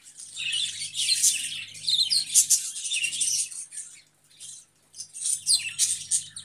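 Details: Lively chatter of budgerigars, high chirps and warbles in bursts, falling almost silent around the fourth second before the chirping resumes.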